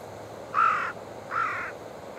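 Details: Wild carrion crow at a waterside feeding ground on the Oita River, Japan, October 15 at 8:12, amid territorial chasing by a downstream pair; two harsh caws about 0.4 seconds each, roughly 0.8 seconds apart, over quiet background.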